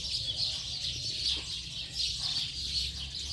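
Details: A late-afternoon flock of house sparrows keeps up a busy, overlapping stream of sharp high chirps that swells and dips in loudness, over a faint low hum.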